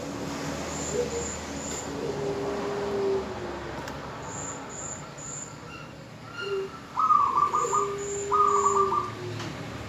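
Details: Female zebra dove calling to a male, meant to prompt males to start singing; short rapid pulsed coos appear late in the clip, over lower steady tones and faint high whistles in the background.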